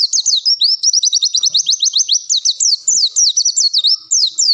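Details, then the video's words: Long-tailed shrike song used as a training recording, showing off its range of fill-in phrases: an unbroken run of quick, high, upswept whistled notes repeated several times a second, interspersed with brief chirpy twists. "Ngalas panjang bongkar isian"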